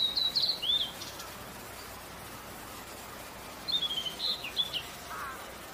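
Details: Blue-and-white flycatcher recorded in Bogor: two short phrases of high, clear whistled notes that slide and waver, about four seconds apart, then one softer lower whistle, over a steady hiss of background noise.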